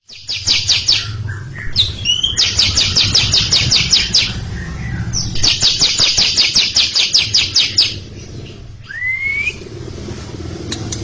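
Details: Cucak ijo, or greater green leafbird, delivering long ngekek chattering before a younger bird: two extended runs of rapid, buzzy, evenly spaced notes, roughly five per second, then a curling whistle, over steady low hum.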